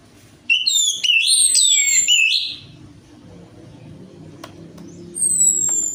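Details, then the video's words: Lure song of an orange-headed thrush, meant to prompt a quiet bird into singing: a dense run of sweet, tumbling whistled notes for two seconds, a pause with low background hum, then a new high whistled phrase begins. "PANCINGAN ANIS MERAH AMPUH INI, ATASI SUSAH BUNYI ANIS MERAH"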